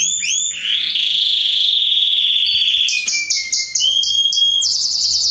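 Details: Canary song for mating stimulation: opening chirps, a long buzzing trill, then a falling whistle under a series of repeated bright notes and a quick high trill.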